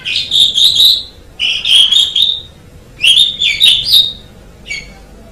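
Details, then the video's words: Asian pied starling song used for training songbirds: three strong phrases of bright, rippling whistles about a second each, separated by short gaps, ending with a brief final note. "MASTERAN JALAK SUREN MEMANG SANGAT BAGUS SUARA KICAUNYA"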